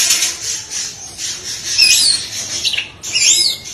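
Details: Kacer singing tembakan beruntun, rapid bursts full of isian phrases: a soft, hissy high passage leads into clear sweeping whistles, then a final twisting, looping whistled phrase.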